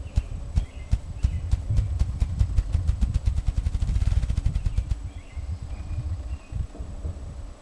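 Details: Male ruffed grouse (Bonasa umbellus) drumming as a mating display at Bear Mountain, Dawson Creek, BC, on 5 May 2008: deep hollow thumps start slow and speed into a fast whirring roll, stopping after about five seconds, over a low rumble.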